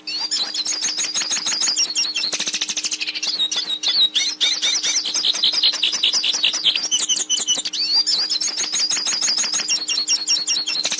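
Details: Goldfinch finding; Brazilian pintassilgo (Spinus magellanicus), song meant for teaching captive birds: a rapid, unbroken run of high, bright twitters and buzzy trills, with a faint steady low hum behind.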